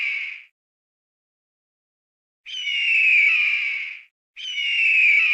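Javan hawk-eagle giving loud, high, harsh screaming calls, each drawn out about one and a half seconds, repeated after short pauses; nothing else heard.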